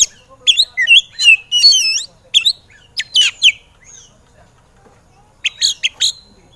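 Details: Oriental magpie-robin (kacer), recorded as training song for birds that will not sing, in an excited state: a rapid tumble of varied whistles and chips, a pause, then a short new burst of notes.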